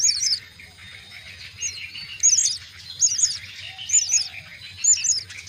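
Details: Myna nestlings at the nest call for food during feeding with dense, high, twittering chirp groups about once a second, over a steady mid-pitched hiss.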